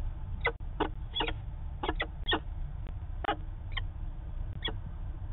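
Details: Manchester, New Hampshire peregrine falcon heard on 19 September 2018 in a drawn-out calling session: scattered rasping single and paired notes through the recording, set against strong low-frequency background noise.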